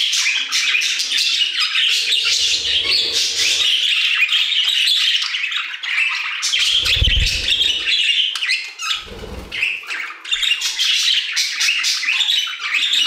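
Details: An aviary full of singing budgerigars: rapid, buzzy chattering and high squeaky notes run without a break, while a few low thuds and soft rumbles sound underneath.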